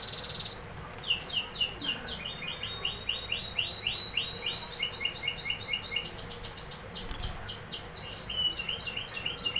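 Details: Canary singing: rapid high trills of repeated upswept notes that shift between pitch levels in quick tours, with a steady low background hum.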